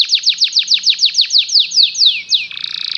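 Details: A canary sings for canaries to learn from: a steady series of about a dozen sweeping downslurred notes, slowing slightly, ending in a short harsh buzzy trill.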